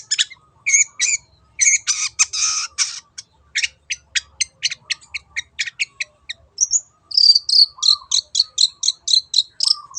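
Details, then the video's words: Long-tailed shrike in full "teot teot" song, meant to make other birds join in: fast sequences of sharp, clicking high notes, a harsh rasping burst, then a run of evenly repeated whistled chips. "SUARA BURUNG CENDET TEOT TEOT"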